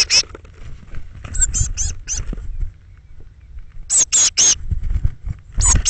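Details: Fledgling Eurasian blue tits, part of a brood of thirteen departing the nest box on the morning of 21 May 2017. Piercing, squeaky notes fall in tight clusters of three, over low thumping and scraping.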